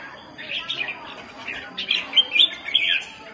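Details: Red-whiskered bulbul calling in a fight: soft, scratchy opening notes build into louder, sharp whistled chirps in quick bursts near the end.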